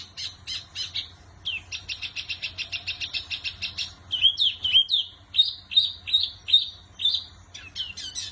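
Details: A wambi bird sings persistently: a steady stream of rapid, high, ticking notes gives way to louder, clear whistled phrases that dip and rise, repeated about twice a second over a low background hum.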